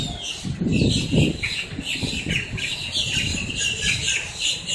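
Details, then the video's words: Many blackbirds in Miami, Florida, squawking up close and making a racket; scratchy, chattering calls overlap constantly above a low rumbling background. "Miami, Florida up-close - blackbirds squawking"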